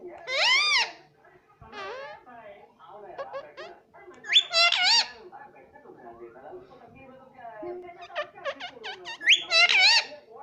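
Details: Pet parrot talking, mimicking words such as mummy and papa: loud, harmonic, nasal syllables in short bursts, some rising, with squeaky chatter between them, indoors.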